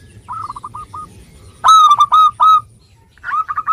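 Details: Singing local zebra dove, recorded to prompt lazy doves to sing: a soft run of short coo notes, then loud staccato rolling coos in quick succession, then another fainter series at the end.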